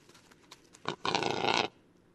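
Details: Western capercaillie male song from Lithuania: a few soft ticks and one louder click lead into a half-second rush of harsh, scraping, hissing grinding, then quiet.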